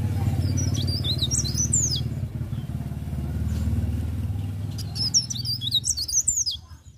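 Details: A leaf warbler sings in the morning: two bursts of high, quick, twittering phrases with sharp rising and falling notes, over a steady low engine rumble.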